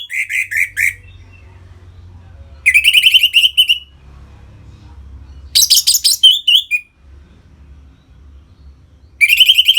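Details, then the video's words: Orange-headed thrush in captivity, North Bali, singing loud 'ngeplong' phrases used to bring other caged birds into breeding condition; repeated bursts of rapid, pulsed, scratchy notes separated by quiet pauses of one to two seconds. "Suara Ngeplong ANIS MERAH Gacor Memancing Burung Agar Birahi dan Lanjut ke Tahap Teler"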